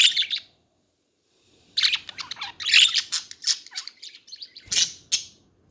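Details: Budgerigars chattering: bursts of high, scratchy chirps and warbled twitters in quick irregular runs, with a short silent pause near the start.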